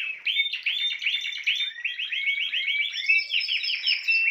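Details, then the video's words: A Spanish Timbrado canary sings a fast, unbroken run of bright, metallic arched notes, several per second, shifting into higher rolling trills partway through. "chant des oiseaux timbrado espagnol"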